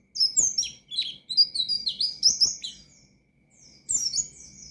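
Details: An Oriental white-eye sings a varied ngalas song to goad rival birds. It mixes fast high twitters with rising and falling whistles in a continuous warble, pauses, then returns with a final high burst.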